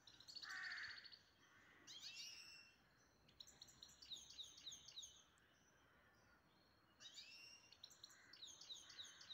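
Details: A pet grey-headed goldfinch from Istaravshan delivers loud, dense twittering phrases mixing high tinkling notes with harsher buzzy rattles, in bursts separated by short pauses, over steady background noise.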